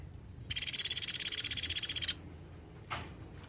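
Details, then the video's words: Sunda pygmy woodpecker calling strongly, kept as a song tutor for cage birds: a high, rapid, machine-like trill of around twenty crisp pulses lasting about one and a half seconds, followed by a short faint chirp. "Suara platuk beras gacor nembak"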